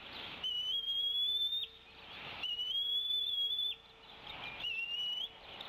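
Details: Off the Decorah nest in late April 2016, the female bald eagle calls while her mate feeds the eaglets. Three long, high whistles, each sliding gently upward and lasting around a second, come about two seconds apart.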